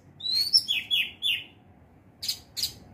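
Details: Orange-headed thrush in teler style giving a short burst of high sweeping whistles and chirps, followed after a pause by two sharp high notes.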